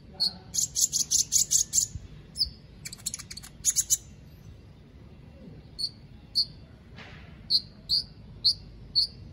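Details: White-rumped shama from Palu, Central Sulawesi, competing in an online bird-song contest: bursts of loud rapid high chirps, then spaced short whistled notes repeated roughly every half second over background hiss.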